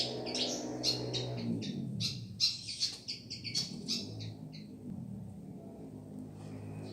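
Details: Pied fantail from Madura singing a run of short, high, bright whistled notes, several per second, in the first four seconds, then quieting, over a steady low hum and background rumble.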